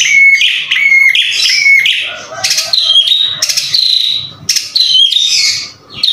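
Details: White-rumped shama singing vigorously: loud, varied phrases of clear whistles, sharp slurred notes and rapid buzzy trills, each phrase different, with brief pauses between bursts.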